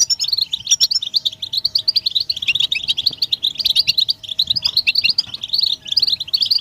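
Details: European goldfinches chattering together, mating and readiness calls meant to stir silent males into singing; dense, unbroken overlapping twitters and tinkling chirps, many birds at once, with a faint steady hum beneath.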